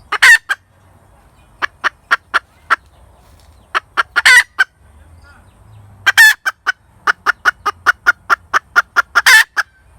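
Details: Hen cackling in repeated bouts, each a run of evenly spaced sharp clucks building to a long harsh squawk, with short pauses between bouts and faint low rumble beneath.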